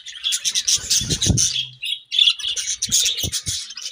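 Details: Budgies during breeding season chatter loudly and continuously, rapid high squeaky chirps and warbles layered together, with low thumping knocks underneath and a brief lull around the two-second mark.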